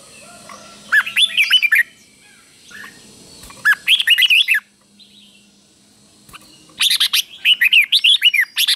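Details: Caged red-whiskered bulbul giving slow, clear doubled song meant as a model for young birds; warbled phrases of quick rising and falling notes near 1, 4 and 7 seconds, the last one longer and fuller.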